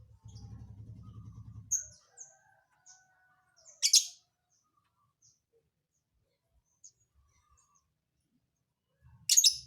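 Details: Lovebird with a strange, unpredictable song: a low hum at first, then scattered faint ticks and two loud, harsh buzzy bursts several seconds apart.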